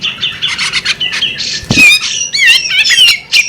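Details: Female bearded magpie robin giving squeaky chirps that lead into loud wavy whistled slurs rising and falling, with a low thud just before the loudest phrase.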